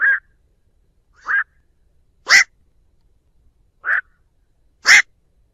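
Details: Lure recording of a black-crowned night heron calling its flock, with no background noise: five separate hoarse croaks about a second apart, alternating cleaner nasal notes and louder, raspier ones.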